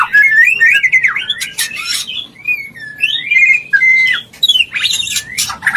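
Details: White-rumped shama mating call to bring a bird into breeding condition: loud, clear whistled phrases with looping slurs and a long level note, broken by sharp clicks.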